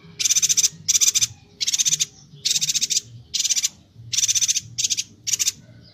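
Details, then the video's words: Energetic Bornean yuhina song meant for training songbirds: a steady series of eight harsh, buzzy pulsed bursts, each about half a second, delivered roughly every three quarters of a second. "Suara burung Perenjak Batu/Yuhina Kalimantan Gacor"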